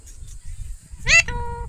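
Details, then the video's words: Pet Alexandrine parakeet indoors, which is taught to say "mummy," gives one loud, harsh, rising squawk, then a flatter drawn-out nasal note, over low rumble while its owner speaks softly to it. "Alexander parrot natural chirping sound"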